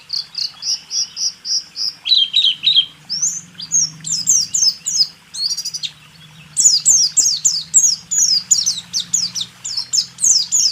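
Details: Training recording of a caged white-eye singing: a steady series of short repeated high notes, then varied slurred phrases, a brief pause, and a rapid burst of sweeping chirps, over a low background hum.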